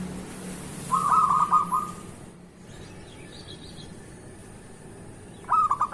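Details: Local zebra dove in the morning, singing to draw out other zebra doves: one short rapid rattling coo phrase, a quiet gap with soft distant chirps, then the start of another phrase.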